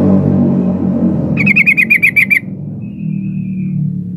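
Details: A female sooty-headed bulbul calls for a male, used as a lure for silent males: a fast burst of roughly eight repeated chattering notes lasting about a second, then a thin faint whistle, with constant low background rumble.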